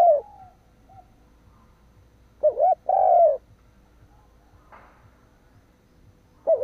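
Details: Spotted dove used as a decoy, cooing to provoke wild birds; one full phrase of a wavering coo and drawn-out descending coo, a brief rustle in between, and the next phrase starting at the end.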